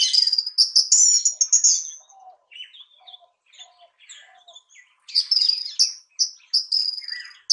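Orange-headed Thrush giving varied, sweet whistled phrases, high and rich at first, then softer low notes, before a loud bright burst resumes.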